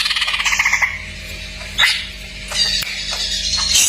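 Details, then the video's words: Cak ijo, the greater green leafbird, singing masteran full isian: an opening fast pulsed rattle, then a brief sharp note and scratchy, buzzy high phrases, with a constant faint low hum underneath. "masteran cak ijo full isian"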